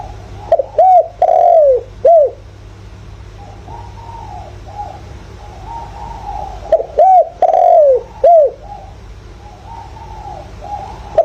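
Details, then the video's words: Spotted dove decoy calling in the 'thổ' voice style, used to stimulate and lure wild doves; two bursts of deep, arching coos in groups of four, with soft lower cooing notes between them over a steady low hum. "tiếng chim cu gáy giọng hợp bổi"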